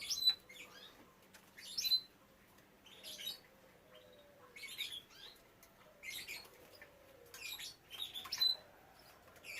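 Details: Canaries bred in captivity, young birds among them, giving sharp high chirps and brief twittered phrases. The calls are spaced a second or two apart, with thin whistled pips mixed in.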